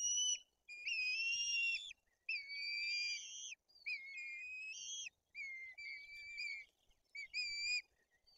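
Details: At a white-tailed eagle nest in Poland's Bory Tucholskie forest, while two chicks are fed and the older one turns aggressive, long thin whistles repeat in steady runs, each note flat or gently rising, separated by short pauses.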